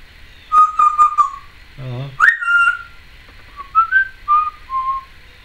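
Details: Pet female Timneh African grey parrot, recorded in 2012, making various noises: clear whistled notes held at steady pitch, a short low buzzy sound, a sharp rising whistle, then several softer, wavering whistles.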